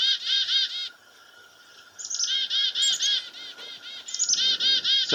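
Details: The classic chickadee call of a black-capped chickadee, given near a farmhouse while a goshawk hunts a dove close by: bursts of harsh, buzzy dee notes in quick series, broken by a short pause, with high thin notes between.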